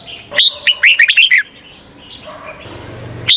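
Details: Decoy red-whiskered bulbul, kept to draw wild birds into traps, delivers one rapid phrase of bright, slurred whistles rising and falling, then a soft lull and a single note starting again at the end.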